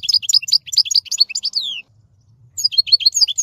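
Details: Singing European goldfinch: rapid liquid twittering phrases with a long descending slurred note, a brief pause, then the fast tinkling twitter resumes, faint low hum beneath.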